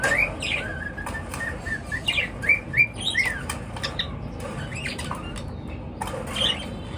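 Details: Birds chirp in the morning: quick series of short, upswept squeaky notes, several per second, with pauses and a faint flutter, over low room hum.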